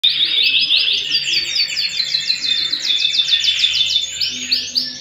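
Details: Canary singing at home: a bright, continuous run of rapid repeated whistled notes forming rolling trills, rising and shifting in pitch, with a faint low hum in the background.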